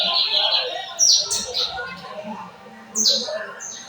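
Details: Lined seedeater of the torneiro song style, São Luís, 14 May 2025: buzzy, downslurred high notes and short chirps with pauses between bursts, and a man talking quietly underneath.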